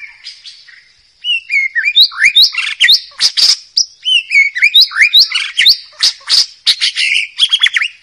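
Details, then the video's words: Loud, melodious song of a forest white-rumped shama: after a soft start, a rapid, varied stream of whistled swoops, sharp chips and trills runs to the end over a constant high background whine. "Suara Murai Batu Hutan, Nyaring Dan Merdu"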